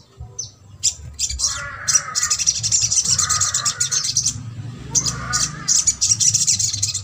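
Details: High, hurried trotol trills of a little spiderhunter, played to get a silent one singing: continuous sharp chatter with lower warbling undertones recurring about every two seconds.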